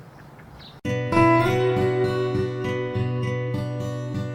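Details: Soft background noise gives way to strummed and plucked acoustic guitar music.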